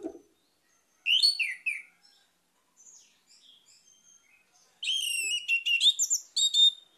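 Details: After a low thump, an Orange-headed thrush gives a slurred whistled phrase and soft warbles, then a long rapid run of varied, high, rippling whistled notes.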